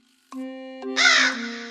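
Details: Crow giving one harsh, hoarse caw lasting about a third of a second, heard over sustained synthesizer music chords.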